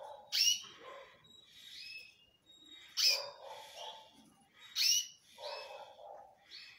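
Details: Male canary singing loud phrases: bright chirps and short rising whistles in bursts about every two seconds, with softer lower warbled notes between them, in a quiet setting.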